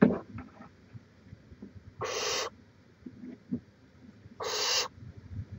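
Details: Barn owl at its nest in Chula Vista, California, recorded by a live camera on 18 May 2017; two loud, raspy, noisy hisses about two seconds apart, with soft rustles and low background rumble between them.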